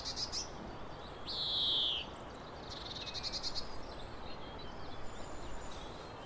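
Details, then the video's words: A European greenfinch (Chloris chloris) in the coastal Netherlands sings a long, nasal, slightly falling wheeze between bursts of quick twittering trills, over a steady rumble of background noise. "Greenfinch Singing"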